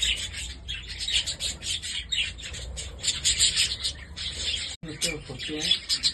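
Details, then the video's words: Holland budgerigars, domestic birds, in a busy chorus of high chirping and warbling that runs without pause, broken by a sudden sharp cut near the end, then more chirps with some lower scratchy sounds. "Holland budgies"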